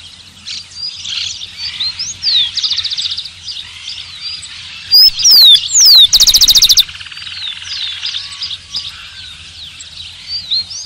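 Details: Amid a dense chorus of chirping birds, a rufous-collared sparrow sings loudly near the middle: a couple of clean descending whistles, then a fast run of repeated high notes. The chorus continues afterward.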